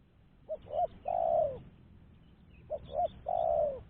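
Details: Spotted dove call used as a lure for other doves: two phrases, each made of two quick low hoots and a sustained, slightly descending coo. The phrases are spaced about two seconds apart against a quiet background.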